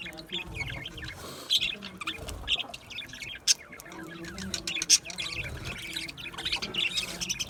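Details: Chirping budgerigars in an aviary: steady high twittering throughout, punctuated by several sharp, louder squawk-like chirps roughly every second or two, over a faint low background hum.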